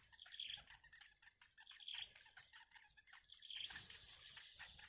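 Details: Wild baby birds in the nest wait for their mother to return with food. They give short, bright chirps and ticking notes, some in louder bursts, over a steady high insect whine.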